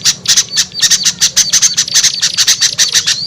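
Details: Lure sound for attracting small birds that are hard to bring down: shrill, scratchy chirps given in quick bursts of about four per second, with a faint thin whistle threading between them.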